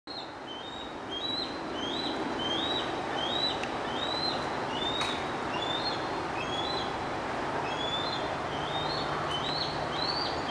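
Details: A bald eagle eaglet perched beside its mother, Liberty, in the nest tree at Turtle Bay on a cool evening, 14 July 2011, hops about while vocalizing: thin, high, whistled chirps, about two a second, slurring up and down, over steady hiss.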